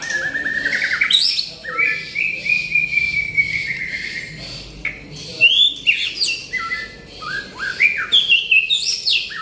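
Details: White-rumped shama singing in full, constant 'gacor' form: long pure whistled notes that slide and hold, then bursts of varied higher phrases with quick chirps, sweeps and short trills, loud and continuous throughout.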